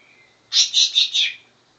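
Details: Greater green leafbird singing an imitation of the grey-cheeked bulbul song it was trained on: a single phrase of four loud, harsh, chirpy notes in quick succession lasting under a second, in a quiet background.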